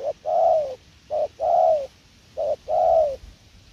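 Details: Spotted dove, a prized calling bird in Vietnam, cooing in paired notes, a brief low note then a longer falling coo, repeated three times at a steady pace.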